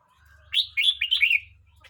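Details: One lively phrase from a Red-whiskered bulbul aged 12 months 29 days: a rising note followed by several rolling, whistled warbles, over a soft low rumble.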